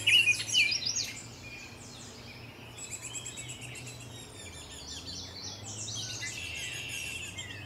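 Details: Baltimore oriole parents visiting their nest at Salt Point, 27 June 2020. Clear loud whistled notes open the clip, followed by quieter high twittering and chips through the rest, over a faint low hum.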